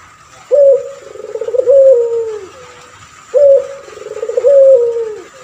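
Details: Two matching coo phrases from a male puter pelung turtle dove kept to train other birds: a sharp start, a pulsing tremolo, then a long, gently sinking coo, about three seconds apart.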